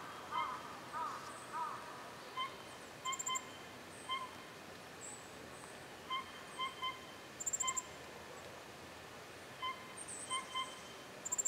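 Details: Ferruginous flycatcher (Muscicapa ferruginea) calling: short, irregularly spaced chip notes mixed with very thin, high, sibilant seeps, against a quiet natural background.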